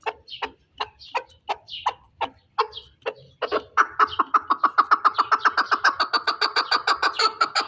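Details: Pamir chukar partridge singing: spaced chuck notes that speed up into a fast rhythmic chukar-chukar rally of evenly repeated pulses, growing louder and steadier toward the end.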